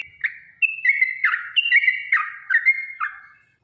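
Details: Long fighting song of a yellow-vented bulbul, a 'ropel' lure for making birds answer: short bubbly whistled phrases, slurred up and down, tumbling over one another for about three seconds, then fading to silence.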